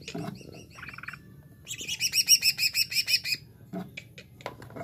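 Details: Greater green leafbird in jamtrok style: a burst of very high, sharp, fast-repeated notes, about a dozen in a row, with brief lower chirps before and after.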